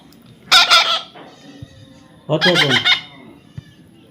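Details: Baby parrot being hand-tamed, giving two harsh, buzzy, pulsed squawks about two seconds apart, each rasping burst lasting under a second, over a quiet indoor background.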